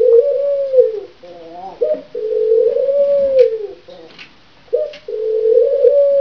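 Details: Courting pair of grey Barbary (ringneck) doves giving long, low, hollow coos that swell and fall, broken by short bubbly rolling notes, in a quiet room.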